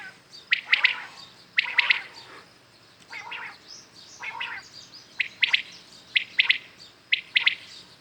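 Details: Common quails calling in the morning: sharp three-note bursts, clear and high, repeated about once a second, with softer, lower buzzy calls between them.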